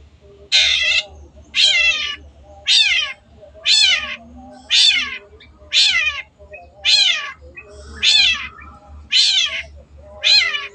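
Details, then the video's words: Long-tailed shrike from a masteran recording for caged cendet: a harsh, rasping, downward-sliding note repeated steadily about once a second, ten times in a row, over a low background hum. "MASTERAN BURUNG CENDET GACOR"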